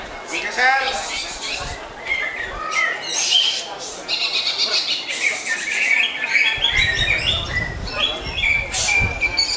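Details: Lively greater green leafbird song: a fast rising series of chips, then scratchy buzzing phrases, sharp whistles and chattering notes, with low background rumble in the second half.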